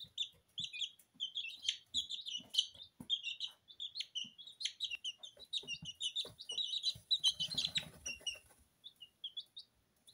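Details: Two-week-old Porcelain and Lemon Sablepoot bantam chicks bathing in their feed in a kitchen, giving a dense stream of short, high peeps. Loud scratching and rustling in the feed comes near the end.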